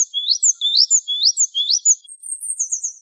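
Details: Java sparrow song from a masteran tutoring recording: a rapid series of high, thin chirps and slurred notes, about two per second, that shift higher and faster near the end, with no other sounds.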